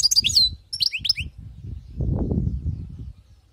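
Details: Wild-caught European goldfinch singing: a rapid burst of high twittering, slurred notes for just over a second, followed by low rumbling background noise.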